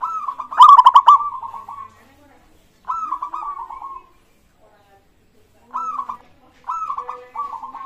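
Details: Local zebra dove used as a lure to get other birds singing: soft rolling coos, each a rapid trill that falls gently, arrive in phrases separated by pauses of about one to three seconds, starting with one louder phrase.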